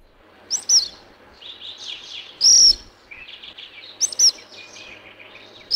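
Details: Black phoebe at Alto San Miguel giving sharp, high chip notes, singly or in quick pairs, spaced well apart, with softer high twittering in between.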